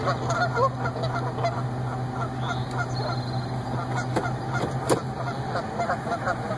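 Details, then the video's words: Mated goose pair reunited at their yearly nesting site in a parking lot after the female's week away for suspected lead poisoning; scattered short honks come at uneven intervals against a constant low drone. "Goose reunion"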